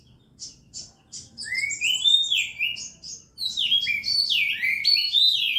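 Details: Contest-ready Oriental magpie-robin in lively song, starting with spaced short high notes, then bursts of rising and falling whistles and sweeping slurs that grow louder and denser.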